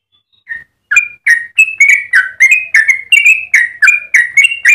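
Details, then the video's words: Yellow-vented bulbul giving long, sweet song for training or luring other birds: one opening note, a short gap, then a fast unbroken stream of bright chirping whistles. "Trucukan gacor ropel panjang cengkok termerdu untuk pancingan dan masteran"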